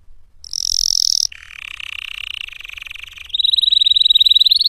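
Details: Canary song with clean studio-like clarity: a loud high rapid trill, then a lower buzzy rolling tour lasting about two seconds, switching to a bright fast rattling trill that rises slightly at the end.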